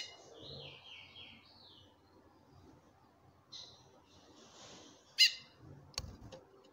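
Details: Captive female chestnut-bellied seed finch calling to a male: faint descending whistled notes open, then one sudden loud harsh chip with stacked harmonics near five seconds, followed by a low knock.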